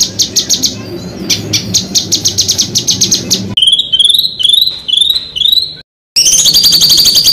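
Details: Songbird master recording for training contest birds, with rough rolling material: a buzzy rapid trill, then clear rising whistled slurs repeated about every half second, a short silent gap, then a shrill steady trill.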